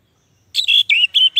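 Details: Orange-headed thrush song, used as lure and master audio for sluggish caged birds that will not sing: clear whistled notes, first a sharp rising note, then three or four steady high slurred whistles separated by short gaps.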